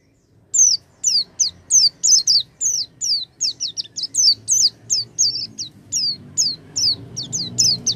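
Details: Oriental white-eye lure to start a quiet bird singing: a lively, unbroken string of shrill, slurred chirps, some doubled, repeated rapidly for about seven seconds in a quiet setting.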